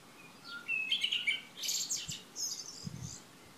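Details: Early-June morning of 3 June 2015 in Šilo on Krk island, Croatia. A lively song phrase of quick whistled notes swelling into a dense, hissing trill, with a couple of dull low thumps.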